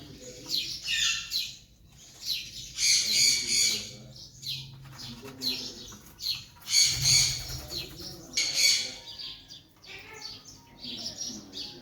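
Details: Young Alexandrine parakeet, a raw parrot whose talking progress was shown in 2023, giving harsh, high squawks and chirps in uneven bursts, with loud rasping outbursts near the third and seventh seconds.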